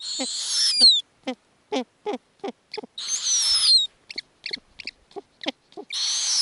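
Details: Snowy owl nestlings in the Arctic, begging food from their mother who butchers lemmings. Harsh hissing screeches with falling whistles alternate with bursts of rapid, clipped clucking notes.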